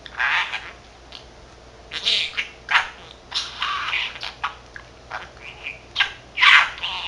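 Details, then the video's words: Male pet budgerigar aged 13 months chattering to himself, mimicking Korean and Japanese phrases; loud, rapid stream of raspy, word-like bursts and squeaks that barely pause. "Talking Parrot 말하는 사랑앵무(잉꼬) しゃべるセキセイインコ"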